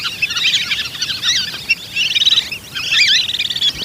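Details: Whistling duck calls used as a hunting lure: a dense, overlapping chorus of thin, high twittering whistles and chirps in bursts, with short gaps near the middle and toward the end, over faint rural background noise.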